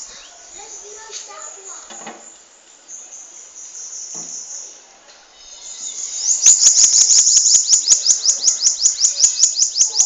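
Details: Bananaquit, a caged bird from Natal, Brazil, known for its long song: after a quiet stretch with faint background murmur, a loud run of high, rapid buzzy notes starts and repeats steadily to the end.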